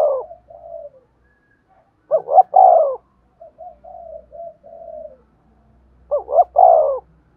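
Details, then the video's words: Spotted dove cooing, intended for training decoys: loud three-part phrases of short rising notes plus a long falling coo, separated by runs of soft, low, evenly spaced coos. "tiếng cu gáy kích bổi và tập mồi hiệu quả/ cu gay kich boi nhanh noi gù"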